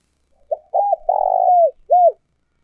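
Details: Decoy spotted dove, an old bird caught from the wild and used to lure wild doves to a trap, delivering one full phrase: a short coo, a rising-falling hoot, a long drawn-out coo, then a final arched note.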